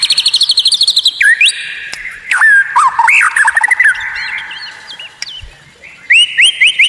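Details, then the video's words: Caged white-rumped shama in a rare, strange-sounding training song meant to provoke rival birds: fast high buzzy trill, then a jumble of whistles, slurs and sharp notes, a quiet pause, and a closing run of rising whistled upsweeps. "Masteran murai batu Suara Aneh unik langka bikin lawan ngamuk sambar materi"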